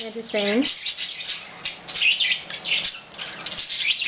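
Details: Pet budgerigars chatter in a rapid, scratchy warble of high chirps and clicks, with a brief voice at the start, recorded at home in May 2010.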